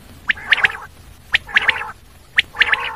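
A common quail gives its liquid three-note 'wet-my-lips' phrase, one sharp note then two quick ones, repeated about once a second over a faint low hum.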